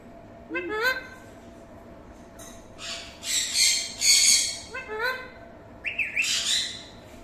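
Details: Alexandrine parakeet, also called green ringneck parrot, gives harsh, loud squawking bursts in two clusters. Short rising harmonic notes come before each burst, and the background is quiet.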